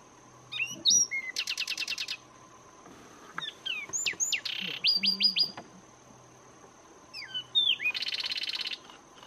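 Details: Zapata Wren singing in Zapata Swamp National Park, Cuba: loud phrases of sharp whistled up-and-down notes alternating with rapid buzzy trills of repeated clicks, three song bursts separated by pauses, with a steady high hiss and low hum behind.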